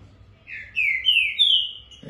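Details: Champion competition green-winged saltator, numbered 175, from the 2019 Brazilian COBRAP contest, caged and eager to sing. Its fast 'fibra e velocidade' phrase gives three strong, smooth whistles rising in pitch step by step, then a man begins talking.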